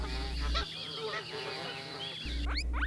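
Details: Farm geese giving a chorus of honks, many bending harmonic calls overlapping throughout, a constant low hum underneath and brief steep upward notes closing the passage.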